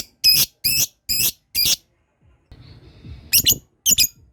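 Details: Lovebird learning to ngekek, a long chattering call, with other lovebirds nearby set off by it. Four loud, shrill, buzzy bursts come in quick succession, then a pause with faint murmuring, then two more harsh squeaky bursts.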